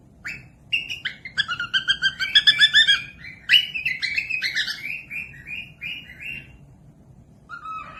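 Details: Cockatiel singing, used to encourage other cockatiels to sing. A rapid, dense chatter of chirps and stacked whistles quickens and then settles into a string of evenly repeated level notes. It fades near the end with one soft low whistle.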